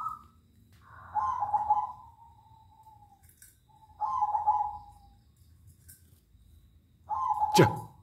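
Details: At night, zebra doves answer each other with three drawn-out, trilling coos that fade toward the end. A sharp click cuts across the last phrase, and a low hum runs beneath.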